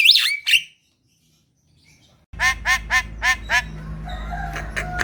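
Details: Lure recording of a black-winged myna for coaxing sluggish captive birds: two shrill squeals, silence, then a rhythmic run of six harsh, harmonic notes and thin whistles over a low background hum.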